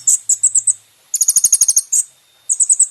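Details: Van Hasselt's sunbird song for caged-bird training: short groups of very high, bright chipping notes, a rapid run of doubled ticks in the middle, separated by brief silences.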